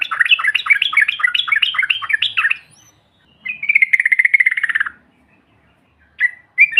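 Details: Provoking call of the yellow-vented bulbul: a fast, repeated string of rising and falling notes, a pause, then a rapid buzzy rattle, and finally two short clear notes.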